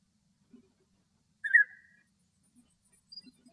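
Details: Male European bee-eater (Merops apiaster) in Greece gives one rolling, liquid, slightly falling call note lasting about half a second; a few faint low knocks, otherwise quiet.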